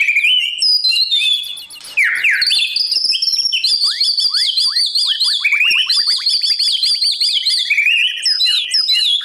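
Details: Morning song of a white-rumped shama used as voice training for newly caught birds learning to sing fiercely in competition: continuous high, varied whistles mixed with rapid repeated downward-sweeping notes and buzzy trills.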